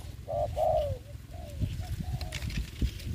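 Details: Spotted dove used as a ground decoy for trapping during the COVID-19 season. Two clear, slightly descending coos open the recording, followed by fainter coos under low rumbling noise and occasional knocks.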